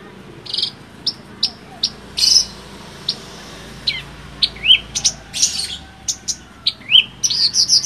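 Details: Song of a Javan bush lark, offered as song material for tutoring other birds: sparse, separated sharp chirps and brief buzzy notes with occasional rising whistled slurs, spaced irregularly over a quiet background.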